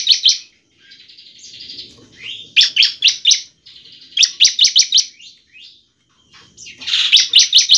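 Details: Bar-winged prinia in 'semi gacor' song, used as a lure to get kept prinias singing: bursts of sharp, high chipping notes repeated rapidly, separated by short buzzy passages and brief pauses.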